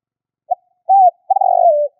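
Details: Spotted dove lure call: a short soft note, a smooth arched coo, then a long vibrating rolled coo that sinks at the end. Clean background.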